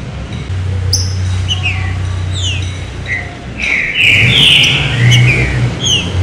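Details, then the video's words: Green-winged saltator in the thin 'serrinha' song style used to get other birds singing: quick slurred chirps early on, building to a strong, sustained whistled phrase in the second half, over a low rumbling motor-like hum. "CANTO SERRINHA FINO PARA ESQUENTAR TRINCA FERRO"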